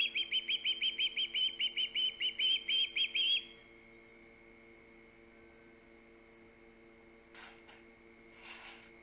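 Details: Osprey at the Hog Island nest, filmed by a live camera on 3 September 2019, gives a rapid run of about fourteen sharp, high whistled chirps over three seconds. Quiet follows, with faint rustling near the end and a constant low hum.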